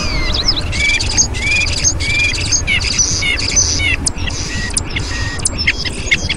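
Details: Bald eagles at their nest on a Minnesota live nest camera on a Thursday morning, 26 February 2015. Thin, high, piping chirps come in quick stuttering series with rising and falling notes over a steady, rumbling, wind-like background.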